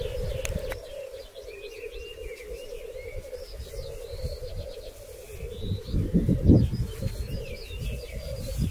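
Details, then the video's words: Displaying black grouse on a singing arena in 2023, the lek of fights and matings: steady bubbling rookooing, with warbling calls of other birds above and a burst of low rumbling midway. "Galli forcelli sulle arene di canto"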